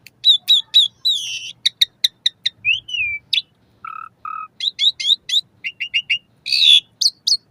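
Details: Asian pied starling song used to encourage caged birds to sing, morning and evening: rapid series of sharp chirps and buzzy notes, a slurred whistle, two low hoarse notes, then more quick chatter.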